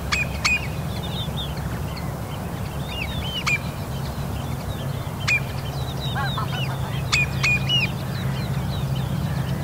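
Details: Common redshank chick at Dollart in early morning sun, 06:10, 14 July 2022. It gives thin, high, curving peeps in quick irregular runs, over a steady low rumble with a few sharp clicks.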